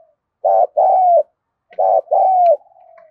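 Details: Cooing of a spotted dove, thúc gù plus gáy style for decoy training: two pairs of mellow coos, each a short note followed by a drawn-out, slightly descending one.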